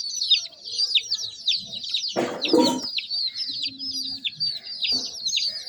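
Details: Chicken chicks produce rapid, high-pitched downward-sweeping peeps in a busy overlapping chorus, broken briefly by a loud rustling or scraping noise in the middle and a short low tone later.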